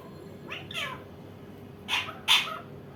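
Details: Indian ringneck parakeet giving harsh, broadband screeches: a paired burst near the middle, then two louder, rasping shrieks close together toward the end, over a faint steady background hiss.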